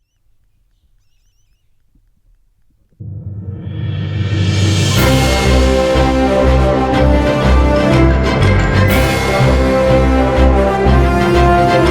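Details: Near silence gives way to loud orchestral music with booming timpani and a steady beat, and no animal voice is heard.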